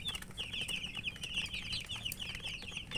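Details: Group of coloured chicken chicks giving steady high, rapid peeps over a loud background hiss and rustling.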